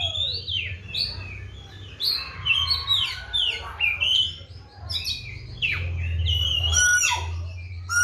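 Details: Oriental magpie-robin singing loudly in a cage. It is cared for with seven crickets and bathed morning and afternoon. Varied whistles, sharp downward slurs and scratchy chirps mix in an energetic stream, with a low background hum.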